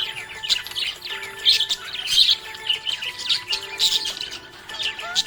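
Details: Happy budgerigar giving rapid, grating chirps and squeaky warbles in uneven bursts, accompanied by a quiet tune with held notes.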